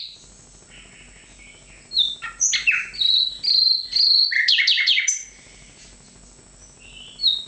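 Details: Nightingale phrases of mixed chirps, whistled high notes and harsh buzzy bursts fill the middle seconds, framed by quieter scattered notes.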